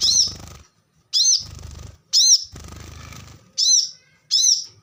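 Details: Plain-throated sunbird, a training track for caged songbirds: high, slurred, ringing notes roughly every second, several trailing into a hissy buzz, over a low rumbling background noise.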